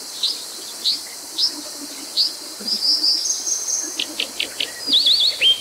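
Brown Dipper giving sharp, high, thin notes at irregular intervals, then a quick run of clipped notes and a rapid buzzy zigzag trill, over a steady high hiss.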